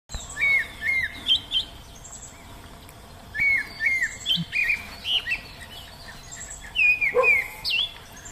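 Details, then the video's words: Wild Oriental magpie-robin singing outdoors: clear, falling whistled notes in pairs and short bursts, repeated in groups with pauses, over a steady background hiss. "Nghe Tiếng Hót Của Chim Chích Chòe Ngoài Thiên Nhiên"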